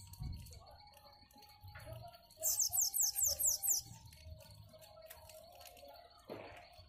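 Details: Bananaquit giving a different-sounding song: a single burst of very high, hissing, rapidly repeated notes, roughly seven in quick succession over about a second and a half, over quiet indoor-sounding background with a soft thump and faint hum.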